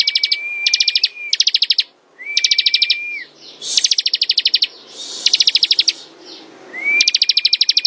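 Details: Bar-winged prinia giving an extended ngebren song: repeated runs of fast, evenly paced high notes, several underlain by a steady, thin whistle, with occasional hissing sounds between runs.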